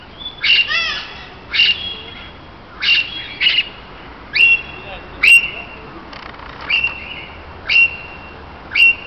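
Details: Assorted parakeets in a Berlin aviary interacting socially: loud screechy calls repeated roughly every second or so, each a harsh burst with a sliding whistled tone.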